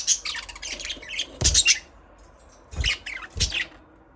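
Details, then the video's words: Budgies chirp and chatter in harsh, high bursts, with a few low thumps mixed into the louder notes. "Budgies parrot chirping sound"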